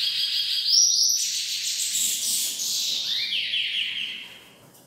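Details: Chestnut-bellied seed finch; solicitation call; female soliciting mating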